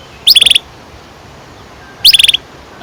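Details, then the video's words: Canary singing, a recording meant to teach young canaries, with two short, very high, rapid trilled bursts of about six notes each, separated by nearly two seconds of quiet hiss. "Kenari gacor NGEROL PANJANG cocok untuk PANCINGAN KENARI PAUD"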